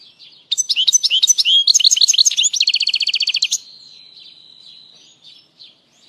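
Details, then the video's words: A European goldfinch sings for three seconds: quick, bright, tinkling twitters that run into a fast buzzy trill, then fade to a faint, thin held note; the song is meant to excite birds and tutor goldfinch chicks. "تغريد اسطوري لطائر الحسون"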